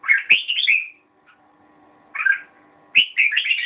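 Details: Bright, bubbly whistled phrases from a red-whiskered bulbul, one run of varied notes, a short chirp after a pause, then another quick warbling run, over a soft background hum.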